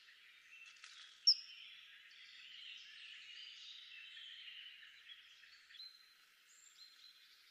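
A single sharp, piercing high whistle from a kingfisher cuts through soft, continuous chatter of other small birds, with a fainter high note near the end.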